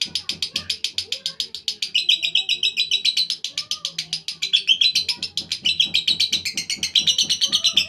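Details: Lovebird performing a long ngekek, an unbroken stream of loud, rasping chatter notes delivered several per second, fluctuating slightly in pitch and loudness over eight seconds.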